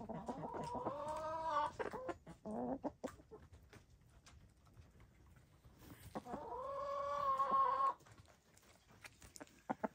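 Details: Gray, lavender, blue and black hens dust bathing give two long, wavering, harmonic crooning calls, each about two seconds, with soft clucks between and the scratch of dirt being thrown.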